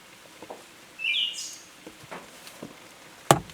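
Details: Siberian thrush singing in Tohoku, Japan, on 21 July 2020. A single short phrase: a brief whistled note followed at once by a high, hissing sibilant tail. Scattered soft knocks and a sharp click follow.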